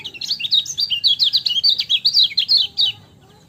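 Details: Energetic lemon-bellied white-eye song: a continuous stream of quick, high, slurred chirps and twitters, about four notes per second, lasting three seconds before cutting off. A faint low hum sits underneath.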